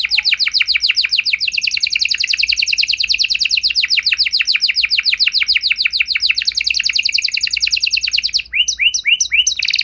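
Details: Canary singing to draw replies from other canaries, a long rapid trill of evenly repeated buzzy notes rolling for about eight seconds, ending with a few slower separate chirps.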